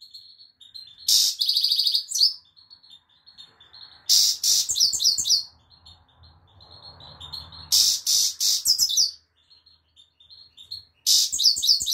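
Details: Goldfinch song in repeated phrases several seconds apart, each a harsh buzzy rasp leading into rapid high tinkling twitters, with faint low rumble between phrases.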